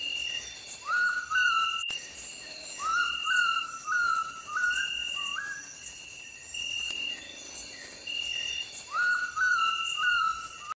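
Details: Oriental bay owl calling in three bursts of rising, upslurred whistles, each note climbing and then levelling off, with pauses between bursts, against a continuous shrill insect chorus.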